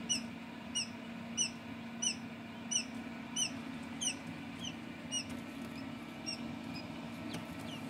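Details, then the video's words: Newly hatched quail chicks from home incubation give high, thin peeps about every two-thirds of a second, over a steady low mechanical hum. "Wachteln schlüpfen"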